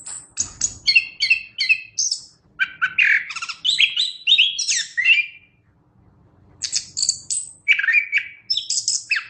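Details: Chestnut-capped thrush (anis kembang) in full song for songbird training: fast repeated chirp phrases and slurred whistles for five seconds, a short silence, then more high twittering and downward whistles.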